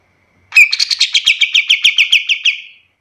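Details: Pied triller song recorded as a tutor for other birds: one quick trill of about a dozen sharp, evenly repeated, descending notes that fade away at the end.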